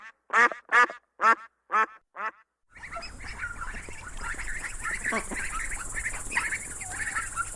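A duck gives five loud, harsh quacks in a quick descending run, then a noisy farmyard background with chatter and hiss follows.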